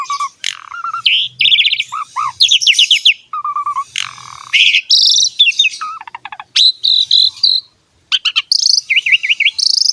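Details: Asian pied starling singing energetically, a training song meant to stir quiet or newly caught birds into voice: mellow low whistles alternate with high buzzy trills and chattering runs, one brief silence near the end.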